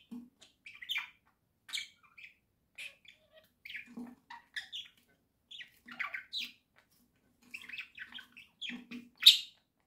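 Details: Budgerigar chatter from indoor pets, October 2024: short clicks, chirps and rasping squawks in scattered clusters, faint low sounds between, ending with one loud harsh squawk.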